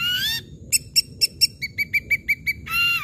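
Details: Loud ashy drongo song meant to draw silent drongos into singing: a burst of bright notes, then spaced ringing chips that drop to a lower pitch and quicken, ending in a slurred whistle.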